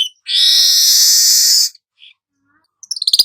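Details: Golden-headed weaver, a tutor recording: one long loud wheezy, harsh buzz lasting over a second, a tiny squeak, then a quick rattling run of chirps at the end.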